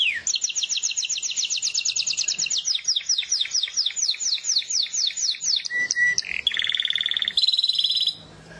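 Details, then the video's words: A canary sings a long run of rapid repeated notes that slows into broader sweeps, then a short whistle and a dense fast trill before fading out. "زقزقه العصافير طيور الكنار كناري"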